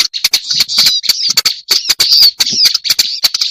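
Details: Lure sound of a black-browed reed warbler: a fast, continuous harsh churring chatter mixed with dry clicks and a few thin squeaky slurs, almost without a break.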